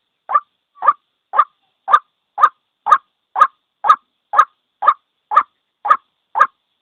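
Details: Trapping lure of a lone white-breasted waterhen calling: thirteen short, coarse notes repeated at a regular pace of about two per second, with no other sounds.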